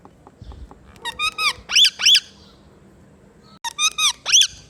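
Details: A pet green talking ringneck (rose-ringed parakeet) indoors gives two bursts of shrill, harmonically rich squawky notes, three to four in quick succession, like clipped mimicked syllables, in a quiet room.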